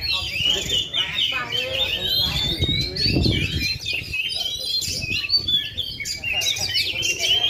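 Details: Indonesian oriental magpie-robin, said to be still in full voice after two and a half years without molting, pours out a rapid run of whistles, trills and harsh notes, with muffled voices and background thumps partly masking it.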